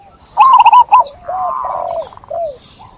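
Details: Local zebra dove singing actively to set others calling: a quick stuttering string of soft rolling coos, then a trailing purr and a few lower looping notes.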